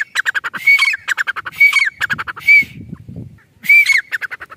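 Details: Grey francolin (teetar), recorded in its natural village surroundings, gives a series of harsh ringing phrases with arched whistled peaks and fast clicking runs. A soft low rumble comes in partway through.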